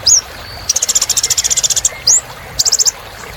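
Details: Little spiderhunter giving a rising whistle, then a fast even trill of about fifteen sharp high notes, another upslurred sweep, and a short burst of five quick notes.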